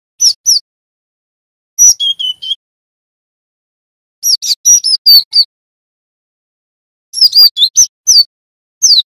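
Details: Java sparrow, young male, practising the ngerol style: four clusters of high, metallic chips and short slurred notes, each cluster broken by a second or more of silence; background otherwise still.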